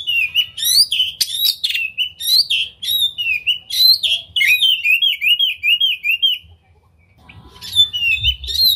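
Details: Oriental magpie-robin, tail open, singing to provoke other magpie-robins: brisk chattering notes give way to a regular series of downslurred whistles, then silence for a moment before the lively song starts again.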